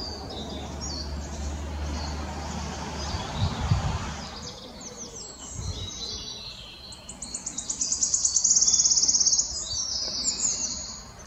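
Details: Wood Warbler male in song, Dove Stone RSPB near Oldham, England, 11 May 2021: after a quieter stretch with low rumble, high stuttering notes accelerate into a bright, sustained trill of about two seconds.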